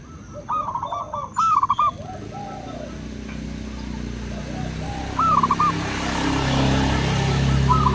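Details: Zebra doves, local and crossbred, sing in reply: two quick rolling phrases early on, one more later, as broadband noise like wind or traffic grows louder toward the end.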